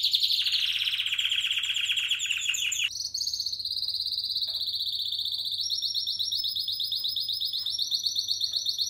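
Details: Spanish Timbrado canary from 2017 singing continuously: a long pulsing rolled trill drops into a smoother, higher ringing roll, then shifts to a faster chattering trill, loud and unbroken for nearly nine seconds.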